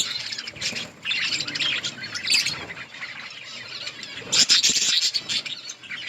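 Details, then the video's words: Budgies eating in an outdoor colony keep up a lively mass of high chirps and warbles, briefly dipping near one second before a loud, crowded burst after four seconds. "Budgies parrot eating and chirping sounds"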